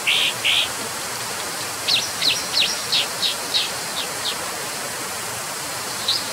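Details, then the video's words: Brown dipper, two buzzy high notes at the start, then a regular series of about eight sharp downward chips roughly every third of a second, one more chip near the end, steady hiss behind. "河烏/Brown Dipper"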